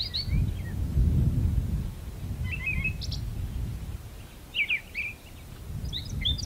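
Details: Brown thrasher in a magnolia tree sings sparse, spaced phrases of chirps and quick slurred notes, some paired, separated by gaps of about a second, over a steady low background rumble.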